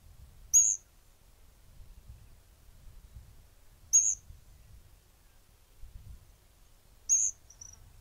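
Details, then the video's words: Variegated Flycatcher in Argentina giving very high, thin, squeaky notes, each short and slightly falling, repeated about every three seconds over a faint low rumble. "Tuquito rayado"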